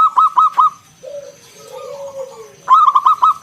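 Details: Local zebra dove, ngalun kung bulat style, sung to coax other doves: a short run of clipped notes, a pause filled with soft low sliding coos, then another quick burst.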